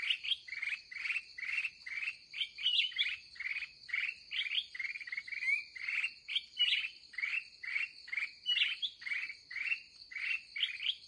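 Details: Wild red-whiskered bulbul in an excited state during a late-afternoon trapping session; steady pulsing chirps repeated roughly twice a second, with occasional sharper upslurred notes, against a continuous high-pitched drone.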